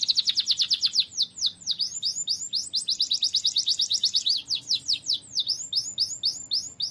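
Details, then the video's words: Lively canary song for tutoring other birds: dense rapid trills of high slurred notes alternating with slower bursts of sweeping chirps, continuous throughout. "KENARI GACOR"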